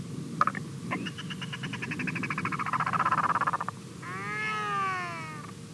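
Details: An incubating Northern royal albatross, just woken on its nest in New Zealand, gives a rough, rapidly pulsing bray for about three seconds, then a drawn-out, smoother moaning note, over a steady electrical hum.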